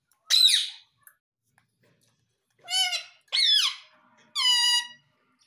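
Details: Pet Indian ringneck parrot speaking "mummy": four separate harmonic squeaky utterances, two of them falling in pitch, with silent gaps between, indoors in a small room.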